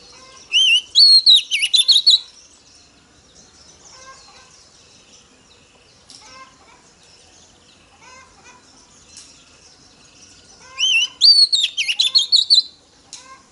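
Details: Oriental magpie-robin female singing to stir up male birds: two identical phrases about ten seconds apart, each a wavering whistle, a high sliding note and a rapid string of sharp chirps, with faint twittering between them.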